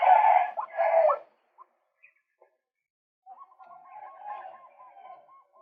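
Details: Two loud, rough, screechy blasts from a male white-breasted waterhen, then silence, then a steady series of quick, regular, knocking notes. The bird is recorded as a lure.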